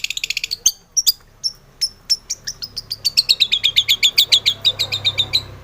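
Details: Long-tailed shrike singing in full, varied style as a lure to set other shrikes singing: scattered sharp high chips that speed into a steady, rapid string of bright ticking notes.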